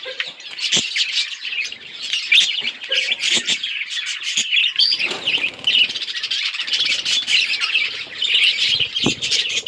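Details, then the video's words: Flock of budgerigars playing together, recorded October 30, 2023; nonstop warbling chatter from many birds, scratchy and twittering, with occasional sharp taps and a short whistled note. "Budgies chirping sounds and playing with each other"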